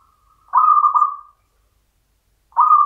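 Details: A local zebra dove, a champion bird of the Mataram rhythm style, gives a soft purring coo that breaks into a few pulsed beats. After a two-second pause, the next phrase begins.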